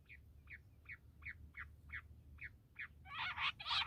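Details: Bush quail, in a recording described as a quail hunting call: evenly paced short descending chips, about three per second, giving way to loud harsh rasping bursts at the end, over faint low hum.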